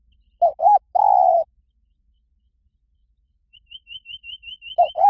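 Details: Spotted dove song of the หลิ่วตัน type, played to lure a dove into counter-singing: two short coos and a long coo, repeated. A small bird adds a rapid series of thin high chirps between the phrases.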